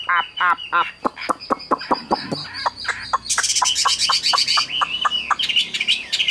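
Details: A Chinese hwamei offered for sale, said to sing nonstop like a machine, sings a loud, fast run of clear whistled notes, about four a second, broken midway by a harsh, rattling burst.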